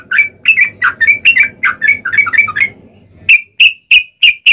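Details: Yellow-vented bulbul (trucukan) in lively 'ropel panjang' song, a lure for other bulbuls to answer: a fast jumble of gurgling chirps over a faint low hum, then five clear spaced sharp notes.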